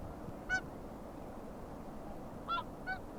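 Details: Whooper swan at Akureyri on 5 April 2020 gives three brief, brassy trumpeting honks, one alone then a quick pair, over a steady wind or water rumble.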